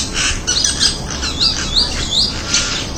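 Crested myna giving harsh, squawky calls mixed with short rising whistles, several in quick succession over a hissy background.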